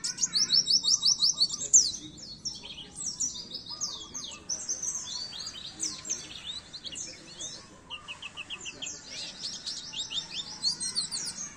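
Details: Oriental white-eye singing on a masteran training recording for caged birds: a long, lively, high-pitched warble of rapid descending chips, trills and slurred whistles, delivered in fast bursts with short breaks.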